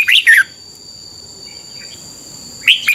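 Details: Red-whiskered bulbul singing the doubled phrase style, played so young birds can learn to copy it: two quick bright chirping notes, a long pause with faint soft notes, then the phrase begins again, over a steady high electronic whine.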